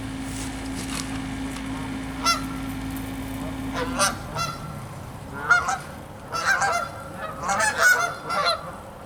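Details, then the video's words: In cold weather, Canada geese on a freezing pond's ice and last open water give loud, nasal two-note honks in irregular bursts, several birds overlapping, over a steady low hum of background noise. "CANADA GEESE HONKING"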